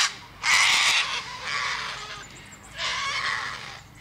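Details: Cockatoo letting out three drawn-out, hoarse screeches, the first sharpest and loudest, the others slightly softer and rougher.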